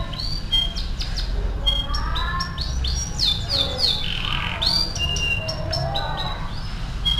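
A canary sings a fast, varied run of bright whistles, rolling trills and sweeping chirps, over a steady low hum.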